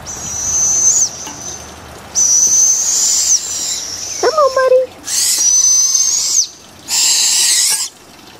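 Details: Young barred owls, several owlets in a humid yard during feeding: four long, raspy hissing screeches with a whistled edge, each roughly a second long, and a man's voice speaking briefly in between.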